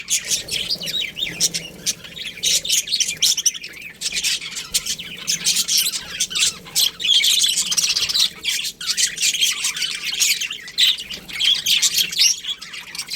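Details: Many budgerigars chirping in a colony, a thick, unbroken wall of high, rasping chatter and squeaks, rising and falling in loudness.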